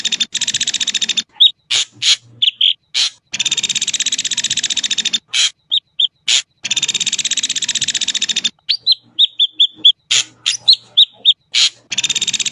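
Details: Extended Ashy drongo song: repeated long harsh buzzy rattles interspersed with brief whistled notes, a rapid run of level whistles near the middle, and sharp rasping chips.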